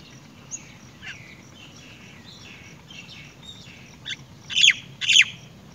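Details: Great myna mother arriving with earthworms for her chick; soft chirps and buzzy notes build to two loud, rasping, broadband bursts close together at the end, with low rumbling background noise.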